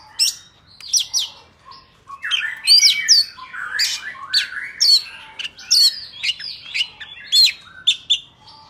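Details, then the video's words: Forest-style song of a white-rumped shama, used for training young birds' voices: a dense, high-pitched stream of varied rising and falling whistles, rapid chirps and fluty sweeps delivered in quick bursts. "Chòe than hót giọng rừng cực phê | File đi bẫy ép giọng chim non"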